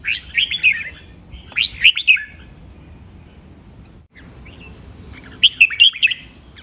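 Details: Training song of a Red-whiskered bulbul with styles called len rik, nap dok, mae bot and lak wai: three short, lively phrases of slurred whistles, each about half a second, separated by pauses.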